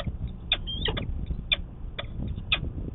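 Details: Peregrine falcon in Manchester, New Hampshire, on a March 25, 2020 morning during courtship. Sharp, clipped calls repeat about once a second over a low rumble of background noise.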